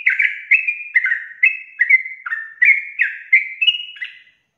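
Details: Sooty-headed bulbul in full 'gacor' voice, long 'ropel' style song used to prompt other bulbuls to sing: a run of about ten loud, clear whistled notes, each dropping or bending slightly, delivered roughly twice a second with no background noise.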